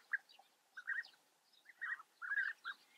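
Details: Bee-eater colony in Germany's Eifel region, European bee-eaters giving four or five rolled, trilled 'prruip' notes in quick clusters, some clipped and some drawn out, with quiet gaps between.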